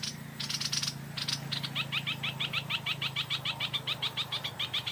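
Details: Stripe-throated bulbul in the late afternoon, at about four o'clock, while a decoy bird is used to draw in wild birds. Buzzy rattles open the clip, then a fast run of clear two-part chirps repeats about three times a second over a low hum.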